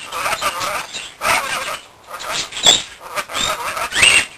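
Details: Pet rainbow lorikeet, a male kept indoors that guards his bell: harsh, broadband screeches in short bursts, about four of them, separated by brief pauses.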